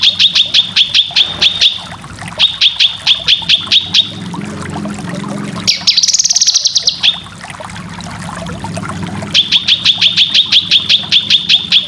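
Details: Cucak kinoy song for training competition birds: series of sharp, evenly spaced high chip notes in runs of about eight, with a short burst of fast buzzy chatter in the middle over a steady low hum.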